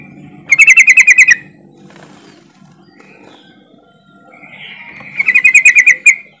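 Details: Yellow-vented bulbul (trucukan) lure call for coaxing non-singing birds to sing: two lively chattering bursts of eight to nine quick pulsed notes each, separated by faint chirps, with low background hum.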